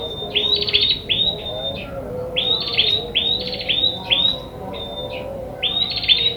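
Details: Wild ashy tailorbird, its calls played to lure birds for trapping: a rapid run of high trilled notes broken by clean whistles, in groups repeated about every two seconds over a low background hum.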